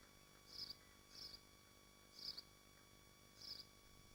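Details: Nesting swifts in Machynlleth, Dyfi Biosphere, heard from a nest livestream. Four short, shrill buzzy notes come in an uneven rhythm, two close together and then two spaced out, with a low constant hum.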